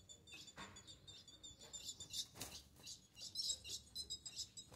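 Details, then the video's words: An 8-month-old young female ultramarine grosbeak solicits mating with thin, high chips in quick irregular bursts, over soft clicks and rustling. "FÊMEA DE AZULÃO Melhor do Brasil Com apenas 8 Mês Pedindo muita Gala"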